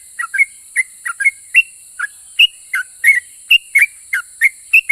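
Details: Sooty-headed bulbul singing energetically, a song claimed to provoke other bulbuls into replying. Crisp whistled notes, singly or in pairs, come every fraction of a second, some with a slight trill, over steady high background hiss.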